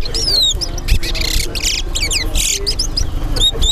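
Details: Towa towa (chestnut-bellied seed finch) singing in a Guyanese bird club whistling contest at Linden: scattered bright, sliding whistles amid bursts of broadband noise and low crowd murmur.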